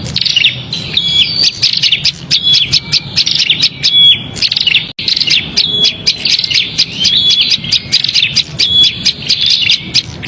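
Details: Prinia giving a noisy, agitated call used to lure small birds: dense, rapid high chirps and sharp ticks mixed with short piercing whistled notes, pouring out almost nonstop with a brief break near five seconds, with a low background rumble.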